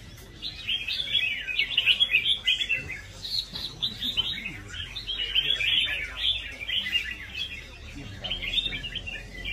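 Red-whiskered bulbul sings a steady run of bright, chattering, bubbly phrases at a lively, rhythmic pace. Faint low background noise sits beneath.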